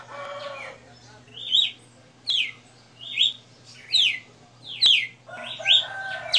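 A red-cowled cardinal sings clear, bright descending whistled phrases, about one every second, over a steady low electrical hum.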